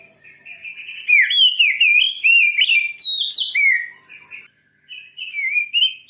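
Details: Fierce Oriental magpie-robin song meant to rile up other magpie-robins. A long, continuous run of loud, varied whistled notes swoops up and down, then fades into softer phrases before another whistled flourish.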